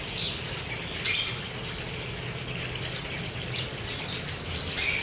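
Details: Wild chopi blackbirds at a feeding spot in Cuiabá, Mato Grosso, Brazil: high chirps, a long smoothly falling whistle mid-way, and sharp clipped notes at the start and end over constant low rumbling noise.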